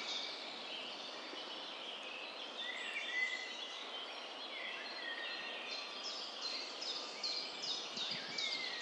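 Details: Several songbirds sing together in a forest at Rosendahl, Germany, on 19 May 2023: a dense mix of high whistles and chirps over steady woodland hiss.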